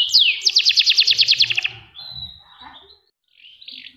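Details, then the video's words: Canary singing for a master recording to provoke song: a downward slur, then a rapid, very regular trill of bright notes for over a second, fading into faint softer notes and quiet. "Masteran Kenari Gacor l Tepat Untuk Panclng Bunyi"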